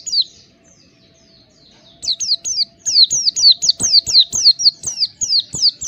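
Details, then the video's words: Oriental white-eye training recording meant to prompt a caged bird to sing openly. Near-silence first, then a fast, steady run of high, sharp, downslurred whistled notes, roughly three per second, continuing to the end. "Terapi pleci bahan agar cepat ngalas buka paruh"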